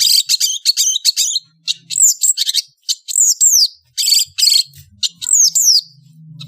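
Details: Indonesian long-tailed bird singing in the afternoon: harsh buzzy chattering bursts mixed with sharp whistled notes that sweep downward, delivered in quick phrases with short pauses, faint low hum beneath.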